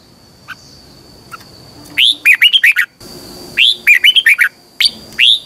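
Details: Caged red-whiskered bulbul in vigorous morning song, a twisting double voice used to train other birds: three close bursts of five to seven sharp, rising-and-falling whistled notes packed into a few seconds.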